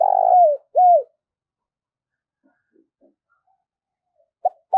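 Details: Spotted dove lure bird calling to draw rivals: the end of a rolling burred coo and an arched coo, a long pause of near silence, then a short note and the start of another phrase.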